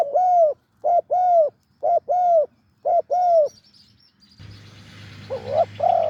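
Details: Deep-voiced wild spotted dove calling near a decoy: quick series of rich, rounded coos in pairs, then a burst of rustling noise and a low hum as two more coos follow.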